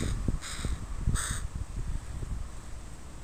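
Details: Two rough, raspy caws about half a second apart from a crow family with young in a park, over steady low rustling and scuffing sounds.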